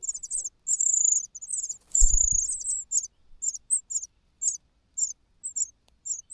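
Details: Hungry cuckoo nestling beside full host chicks, with high squealing bursts followed by scattered sharp chirps. A soft low thud occurs about two seconds in.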